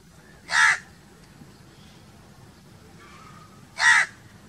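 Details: Two single harsh crow caws roughly three seconds apart, with weak distant sounds in between.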